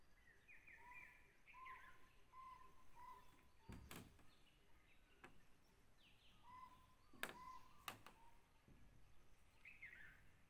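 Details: Jungle owlet calling at Tansa Wildlife Sanctuary, Maharashtra, India: runs of short, hoarse, even-pitched notes repeated roughly twice a second, with sharp knocks or clicks breaking in and faint higher chirps from other birds.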